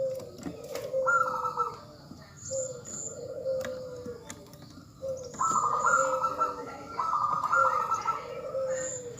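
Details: Female zebra dove calling to a male: low, drawn-out cooing notes alternate with rapid, buzzy trilled phrases at a higher pitch. Faint, high, paired chirps sound in the background throughout.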